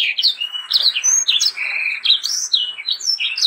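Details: Sanger singing steadily as tutor material for young birds: a fast string of sweeping whistles, high chips and a longer level whistle, delivered without pause.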